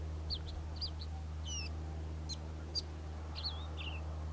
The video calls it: Karoo Scrub Robin song